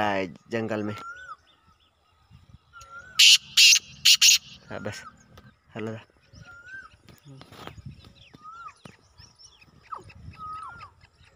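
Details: Black francolin, a male calling in the jungle alongside a female: loud, harsh, grating notes in a quick three-part burst. A brief human voice comes before it, with faint thin chirps and whistles from other birds around.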